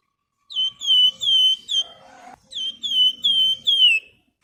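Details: Javan fulvetta, locally flamboyan, singing a lure song with sharp "nyiul nyuling" whistles. Two phrases of four clear downward-sliding whistles each are separated by a brief rustling pause.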